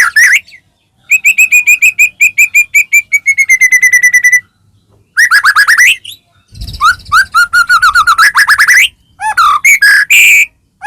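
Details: Caged white-rumped shama in full song, played to provoke another shama to sing: quick runs of repeated whistled notes, a long rapid trill, then varied rising and falling phrases with one brief rough burst.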